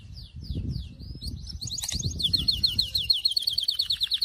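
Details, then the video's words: Syrian canary delivering several descending slurs before launching into a fast trill of clipped, repeated notes that grows steadily louder. "تغريد كناري السوري"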